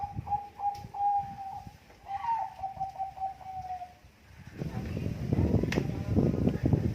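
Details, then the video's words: Bangkok-type Zebra dove singing actively with contest-quality cooing used as a lure: a few short coos, then a long run of rapid, slightly wavering notes, followed by loud rustling and handling noise. "perkutut bangkok gacor suara istimewa keteria lomba untuk pancingan"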